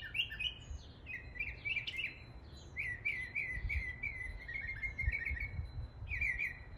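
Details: East Tennessee mockingbird mimicking local species: quick bursts of wavering, trilled high chirps in phrases separated by short gaps, with a faint steady high tone and low background rumble.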